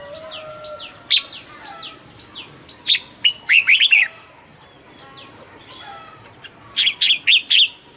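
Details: Caged red-whiskered bulbul sings in short bursts: a few loud notes, then a quick tumbling warbled phrase, and another bright four-note phrase near the end, over faint repeated downslurred whistles.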